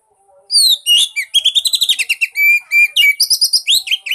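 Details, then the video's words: Lure song of an Oriental magpie-robin, meant to make a silent bird sing: high whistled slurs open into a rapid run of repeated chirpy notes, then varied sweet phrases and quick rising whistles follow without a break. "pancingan buat burung kacer bisu"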